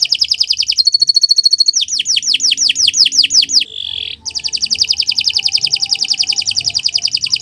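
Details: Morning canary song intended for training other birds: rapid chattering trill, a pure ringing tone, a run of quick descending notes, a brief buzzy slur, then a long fast even trill.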